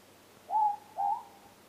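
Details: Ruru (morepork) heard near the house at night, a single clear double hoot: a level whistled first note and a second note that rises a little, against a still, quiet background.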